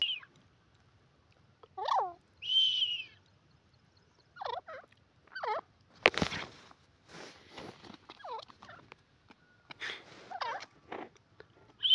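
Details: Grey francolin (dakhni teetar), possibly female: loud, shrill looping notes repeated every couple of seconds, with higher thin whistles between and a brief noisy thump midway.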